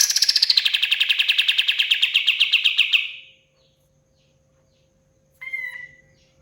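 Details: Pied fantail (kapas tembak) in full song: a fast chattering trill of sharp notes, about eight a second, sliding down from high to mid pitch over three seconds. After a pause comes a short, clearer whistled note.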